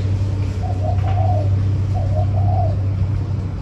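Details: Two soft cooing phrases from a spotted dove, short low notes then a longer rolling coo, partly masked by a strong steady engine-like hum.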